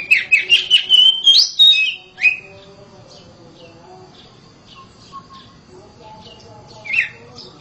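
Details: Loud song of a home-kept oriental magpie-robin: a rapid run of rich whistled notes for two seconds, then near silence broken by a faint whistle and a single sharp slurred note near the end.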